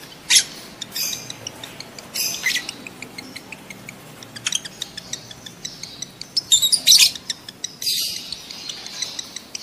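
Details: Lovebird mating-stimulation calls, used to prompt adult lovebirds to breed: scattered shrill chirps and a few louder bursts late on, with soft clicking between them.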